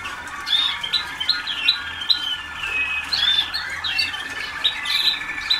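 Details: Waterslager canaries, young pupils a few days into song training in 2010: rapid series of sharp chirps and short whistled phrases from several birds, with a faint steady tone and low hum behind.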